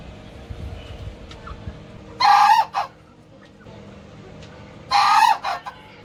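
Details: Young male Ko Shamo bantam rooster growing up in a home coop and showing aggressive, male behaviour gives two short, hoarse crows about three seconds apart, each a brief harsh burst, over a low background hum.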